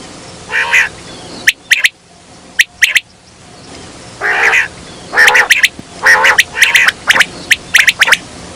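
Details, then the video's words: Quail calling, recorded for use as a hunting lure: sharp, clipped notes in quick pairs and triplets, mixed with longer rasping, buzzy bursts, over a faint steady background hum. "Batair ki awaz"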